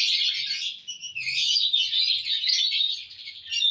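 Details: Lovebirds, happy mood, June 1, 2022: a continuous shrill, twittering chatter of quick, overlapping squeaks, with faint low knocks early on.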